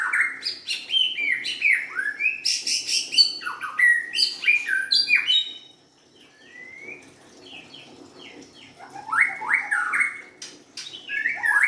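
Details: White-rumped shama, a young forest-caught bird, singing a varied run of loud whistled phrases: rising sweeps, sharp chirps and rapid trills, with a quieter pause in the middle before the bold rising whistles return.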